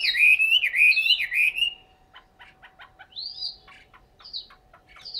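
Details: In Hanoi, Vietnam, a caged Chinese hwamei gives clear looping whistled phrases, then quieter short chips and a few high rising whistles, with faint steady hum in the background.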